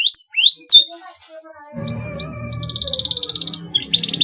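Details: Canary song played to stimulate young canaries to sing: bright high whistled slurs and chirps, then a fast rattling trill of rapid repeated notes, with a low droning hum underneath.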